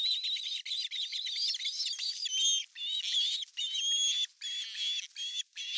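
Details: Osprey at a Finnish nest in August 2020 as the male arrives with a large fish: overlapping shrill, whistled squeals and chirps pour out in long, uneven bursts with short breaks.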